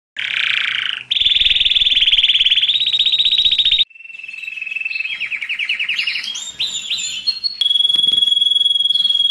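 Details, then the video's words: Domestic canary singing to excite males and ready females for breeding, used during the molt and rest stage: a buzzy high burst, then a long steady rolling trill, a rising stepped series of notes and a clear sustained whistle. "تغريد الكناري للتسميع في مرحلة القلش و الراحة"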